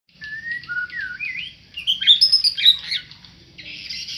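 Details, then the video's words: Tame white-rumped shama singing: a run of clear whistled notes, some flat, some swooping and rising, then a sweet, complex warbling burst and a higher buzzy ending, with a steady high hiss behind. "murai jinak lagi bunyi"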